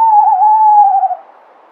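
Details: Tawny owl giving a single long, steady hoot, a low clear tone held for just over a second, easing slightly lower toward the end before cutting off; no other sounds.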